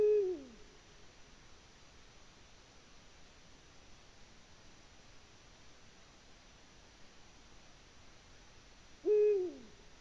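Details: Eurasian eagle-owl calling from the nest in Latvia, recorded 14 February 2020. A harsh, level call with a falling end opens the stretch. Nine seconds of near silence follow, then an identical call near the end.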